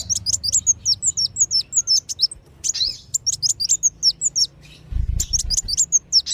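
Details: Kolibri wulung and sogon sunbird calls used as a lure for wild birds: rapid runs of high, sharp twittering chirps in three bursts separated by short silences, with a faint low rumble near the end.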